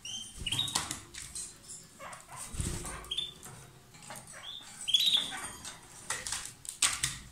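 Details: A pair of lovebirds singing loudly: harsh, noisy chattering bursts mixed with short, sharp chirps near the top of the range, irregular and overlapping, with brief quiet gaps.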